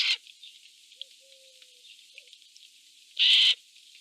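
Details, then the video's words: Eurasian jays fighting for food in a forest; after a quiet stretch with faint thin whistles, a single loud, harsh, rasping screech lasting about a third of a second. "Jays fighting for food 💥 Is it because they are happy that they are making noises❓"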